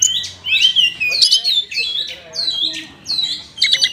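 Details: Oriental magpie-robin in kapas tembak style, giving harsher, squawky drawn-out notes broken by pauses, ending in a burst of sharp chirps.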